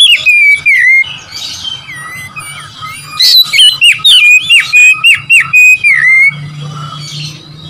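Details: Oriental magpie-robin singing to rile rival birds: clear whistled phrases with rolling, warbling slurs, about a dozen bright notes in quick succession, ending with fading quieter twitters over a low hum.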